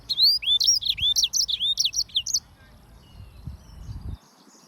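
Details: Yellow-fronted canary (Serinus mozambicus) singing a rapid run of bright, upward-sweeping whistled notes, about eight in two and a half seconds, then falling silent with only faint low background rumble.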